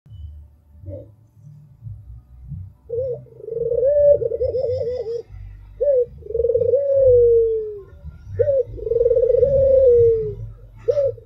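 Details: Albino Barbary dove (puter) singing: after brief soft notes, low rolling coos that open with a quavering trill and glide into a smooth, slightly falling tone, each introduced by a short clipped note; quiet low rumble underneath.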